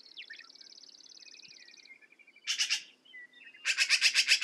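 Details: A thin, fast buzzy trill opens, followed by soft notes, then black-billed magpie gives a short harsh rattle and finally a longer, loud chatter of about ten rasping notes.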